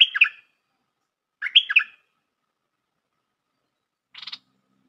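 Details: Bulbul lure call for trapping: two short warbled chattering phrases about a second and a half apart, then a brief buzzy burst; otherwise silent.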